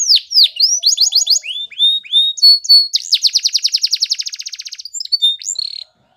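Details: Canary in Spanish Timbrado style singing a training song: varied swooping whistles and chips, then a long very rapid rolling trill lasting nearly two seconds, ending in short sharp notes.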